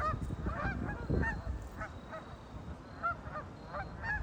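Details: On a lake, ducks utter short nasal honks at uneven intervals, a few birds calling over a low, rumbling background.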